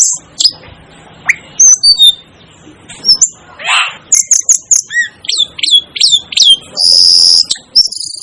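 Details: Calls of an Asian glossy starling, a string of sharp high chirps and downslurred whistles with one buzzy rasp, speeding into rapid repeated notes before a long shrill tone.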